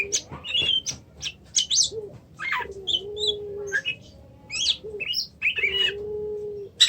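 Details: Kacer, or Oriental magpie-robin, sings quick whistles and chirps over a repeated low, steady, cooing tone from another source.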